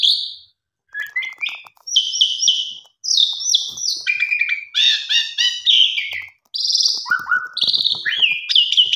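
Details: Pied myna singing as a lure for mynas that have stopped singing: a dense, rambling mix of buzzy chatter, whistles and falling notes, almost continuous after a short opening pause.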